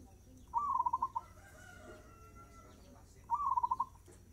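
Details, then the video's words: Gacor zebra dove singing at a fast tempo: two phrases roughly three seconds apart, each opening with a sliding note and running into a string of about five quick throbbing coos over low background hum. "Suara perkutut gacor tempo cepat"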